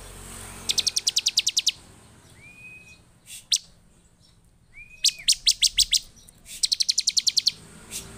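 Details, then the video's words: Bar-winged prinia singing emotionally and insistently to provoke nearby prinias. Rapid rattling trains of high chips are separated by brief rising-then-level thin whistles and a few isolated sharp notes over faint hiss. "Burung ciblek penuh EMOSI DAN GACOR efektif memancing ciblek lain cepat bunyi dan emosi"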